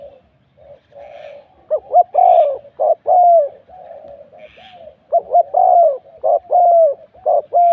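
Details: Spotted dove song recorded while luring doves with a decoy at the 41st spot in Thailand. Soft low coos build into a string of clipped notes and drawn-out coos, with brief gaps and faint high chirps behind.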